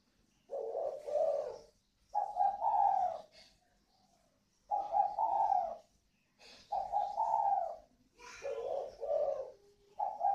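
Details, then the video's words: Captive pair of northern Vietnamese spotted doves, 'còi vang' style, from a bird farm in Ba Vì, Hanoi, Vietnam. Soft, hollow coo phrases of several notes, separated by short silent gaps and repeated steadily. "chim cu gáy CÒI VANG _ THỔ XỊN (cu gáy miền bắc)"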